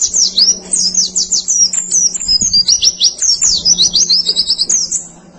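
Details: White-eye (pleci) song, a masteran recording for training birds: a dense, rapid twitter of very high, thin, down-slurred and zigzagging notes without pause, over a faint low steady hum.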